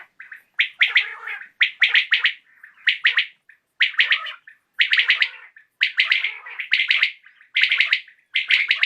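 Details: A common quail calls in the evening, giving loud, crisp, triple-beat pulsed phrases over and over, about one per second, fairly steady throughout.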